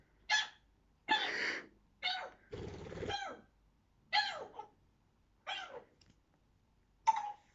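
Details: A 9-month-old pet African grey parrot coughing: a run of short, harsh, breathy cough-like bursts, about one a second, while its owner talks to it nearby.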